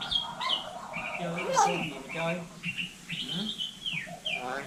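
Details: Hill myna in Vietnam imitating human speech: a steady run of voice-like syllables with clear vowel bands, mixed with sharp whistled notes and downward-sliding whistles, loud and close throughout.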